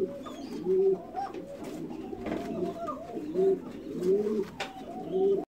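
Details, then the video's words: Pouter pigeons producing soft, guttural coos that swell and fall in uneven succession, several birds overlapping, with some faint background noise. "حمام نفاخ مسوبع"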